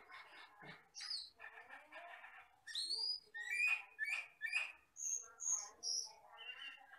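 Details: Asian glossy starling from the forest, recorded as tutor song: scratchy chatter leading into loud sharp chip notes about twice a second, then clear high whistles and a buzzy trailing phrase.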